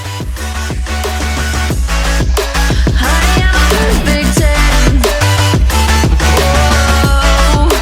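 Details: Loud electronic dance music with heavy bass and pounding drums throughout, no animal voice present.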